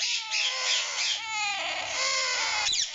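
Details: Rose-ringed parakeets, a breeding pair with chicks, giving harsh, raspy squawks that run almost continuously, rich in high overtones, with a few rising and falling tones and a short burst near the end.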